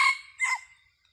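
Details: Red junglefowl used as a decoy in junglefowl trapping, recorded 30 October 2023; a brief harmonic crow in two loud bursts, the second bending downward before fading out, with no other clear sounds.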